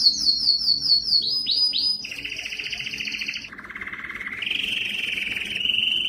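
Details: Canary song to stimulate male singing: bright high notes repeated rapidly, a few downslurred whistles, then buzzy trilled tours stepping down to a low roll and back up to level trills.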